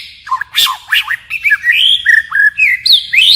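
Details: White-rumped shama song, forest style with steady voice changes: quick chattering looped notes, sharp bursts and high rising whistles in a fast varied sequence.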